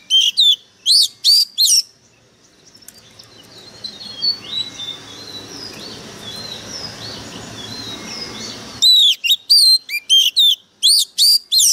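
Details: Oriental magpie-robin decoy bird in fighting form: rapid bursts of loud, sharp whistled notes open and close the passage, and a long middle stretch holds only soft hiss and faint distant chirps.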